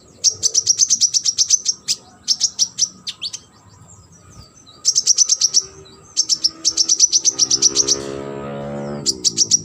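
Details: Sunbird training song for competition birds: rapid bursts of high, thin, sharp chirps repeated in quick series, with brief pauses between bursts and a low hum underneath toward the end.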